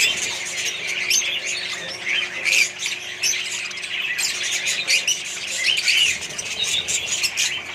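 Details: Budgies in a colony with more birds, giving a continuous chorus of harsh squawks and chirps, with a couple of clearer whistled upslurs rising above the crowd.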